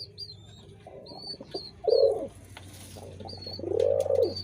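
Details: Pigeons cooing: two loud, rounded, throbbing coos swelling and fading, with softer cooing between, thin high chirps from small birds above, and a steady low hum underneath.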